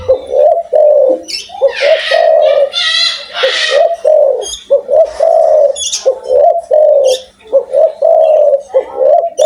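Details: Indonesian Spotted dove, described as lively with a big voice, cooing almost without pause in repeated low two-part phrases, while raspy chatter and high twitters from other birds overlap in the background.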